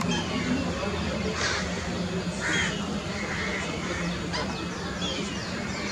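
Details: Alexandrine parakeets playing together give harsh, rasping squawks in short bursts about a second apart, over a steady low hum and faint voices.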